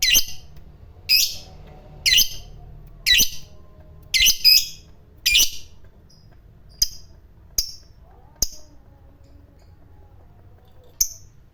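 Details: Fighter lovebird sounding as a lure to set other lovebirds off: a regular series of rasping chatter bursts about once a second, thinning later into short sharp chips and a final burst.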